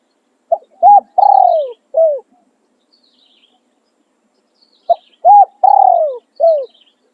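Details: Decoy spotted dove crowing in the khan riak and khan yon styles. Two identical four-part cooing phrases several seconds apart, each with a quick note, a clipped coo, a long sliding croon and a last falling coo. Otherwise quiet.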